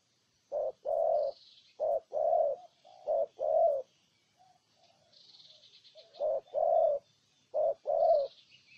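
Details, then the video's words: Cooing spotted dove, Ninh Thuận, Vietnam, with loud short-then-long low phrases in groups, a quieter stretch of soft coos in the middle, and faint high bird chirps in the background. "Cu Gáy Ninh Thuận"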